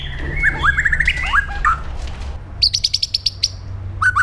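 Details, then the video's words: Aggressive 'pastol jahat' training song of a white-rumped shama: a run of clear whistled slurs and warbles, then a fast, even trill of high sharp notes, and a final short whistle. "PASTOL JAHAT MENTAL BAJA | MASA DEPAN CERAH | SHAMA BIRD"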